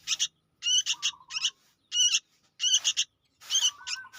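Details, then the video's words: Harsh stuttering bursts from a young sooty-headed bulbul, recorded to lure birds, come roughly every half to one second, some followed by a thin lower drawn-out whine. "suara anak burung kutilang gacor untuk pikat"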